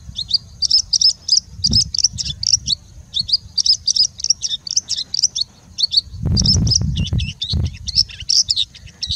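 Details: Singing bushlark pouring out mimicked phrases, rapid high chirps in tight clusters repeated steadily, with a short burst of low broadband noise near the sixth second.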